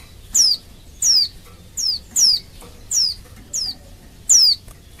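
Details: Female Oriental white-eye call meant to lure males into singing: seven single, thin, steeply descending whistles at fairly even spacing, about one every three-quarters of a second, against a quiet background.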